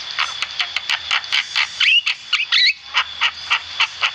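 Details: Javan myna singing actively for use as a birdsong training recording: a fast even series of short harsh chacks, roughly four per second, broken by a couple of upslurred whistles, with a steady high whine throughout.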